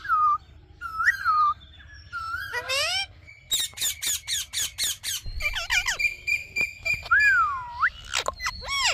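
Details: Talking Indian ringneck parakeet producing short whistled glides, then a rapid series of harsh evenly spaced squawky syllables, followed by a long steady tone and a smooth falling whistle.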